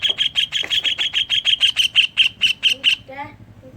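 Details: Greater green leafbird singing kingfisher imitations, played to coax caged leafbirds into song: a rapid, steady series of sharp, high chips lasting about three seconds, ending abruptly with a few softer lower notes.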